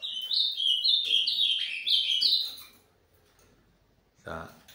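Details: Captive male ultramarine grosbeak (Cyanoloxia brissonii), housed with a female for pairing in cold August weather, sings a rich run of clear, slurred whistles stepping up and down for about three seconds, followed by a brief human voice.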